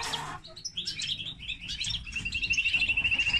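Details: Linnet and canary hybrid delivering scattered chirps and warbles, then a long, even, buzzy trill held for over a second at the end.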